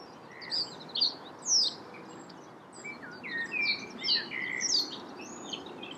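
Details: Nominate-race reed bunting at Bourgoyen, Belgium, in May 2014, giving thin, high, clipped notes and short downslurred chirps in irregular clusters, with a steady low rumble of background noise.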